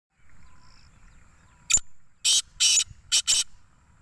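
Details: Black francolin call: after a single sharp click, a series of loud, harsh, rasping bursts, one short then two longer, followed by a closely spaced pair, over faint background hiss.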